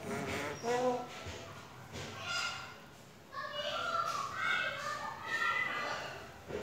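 A grey parrot gives a string of speech-like chatter and clear whistled notes, rising and falling in pitch, with short pauses between phrases in a quiet room.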